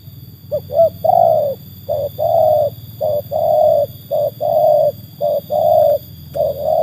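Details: Cooing of a trained spotted dove tested against wild birds, opening with quick clipped notes, then regular pairs of short and long mellow coos repeated at an even pace, low hum underneath.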